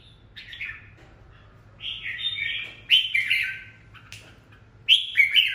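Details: Red-whiskered bulbul, a lure bird in strong form, singing short, bright, warbled phrases in quick bursts, some sharp and emphatic, over a low background hum.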